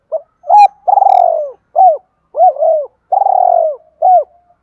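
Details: Spotted dove in an urging and calling coo sequence aimed at provoking wild birds to duel. Repeated low mellow coos: quick hooked notes alternating with long, faintly rattling, downward-sliding coos, steady and clear.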